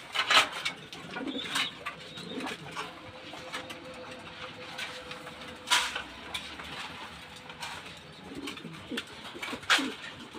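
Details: Pigeons of various breeds at a pigeon farm coo softly in low, rolling murmurs amid sharp clatters and wing flaps from the busy loft.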